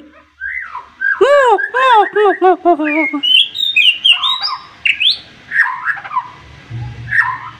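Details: White-rumped shama singing sharply to goad an opponent: a rapid series of arched, nasal chattering notes about three per second, then high whistled flourishes and softer warbles fading out.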